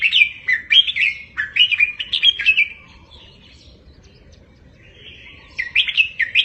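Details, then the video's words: Red-whiskered bulbul tutor song in the repeated 'double 3-4-5' style, meant for caged birds to copy: two runs of quick, bright, warbled whistled notes, a pause with faint background hiss, then another lively phrase. "เสียงนกกรงหัวจุก เบิ้ล3-4-5 ก๊อปติดง่าย 100%"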